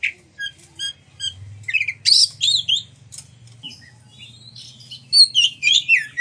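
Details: Oriental magpie-robin song meant to spur other magpie-robins to sing and open their tails: scattered thin chirps and short whistles, then a denser burst of harsh, varied notes, with a faint low hum throughout.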